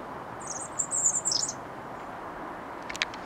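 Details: European robin (Erithacus rubecula) singing at RSPB Rainham Marshes, 8 October 2016: one brief, high, thin warbling phrase of about a second, then a soft click over steady hiss.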